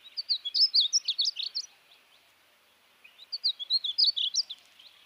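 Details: Painted Bunting at Salineno, Starr County, Texas, sings two sweet, rapid warbled phrases of high, jumbled notes, each about one and a half seconds long, separated by a brief pause.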